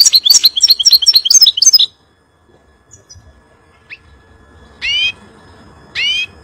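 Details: Song of a European goldfinch used to tutor young birds: a quick jumble of twittering notes for two seconds, a long pause, then two separate harmonic nasal calls.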